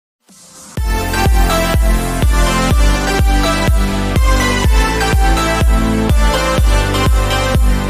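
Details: Electronic dance music with a steady four-on-the-floor beat and heavy bass; no animal voice is heard.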